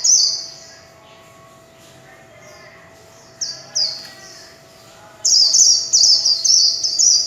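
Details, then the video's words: Warbling white-eye, a kept bird, singing in the líu chòe style: high, rapid warbled bursts, a short phrase at the start, two brief notes near three and a half seconds, then a fast run of sweeping twitters to the end. "Tiếng chim vành khuyên líu chòe (không tạp âm) - Vành khuyên líu chòe"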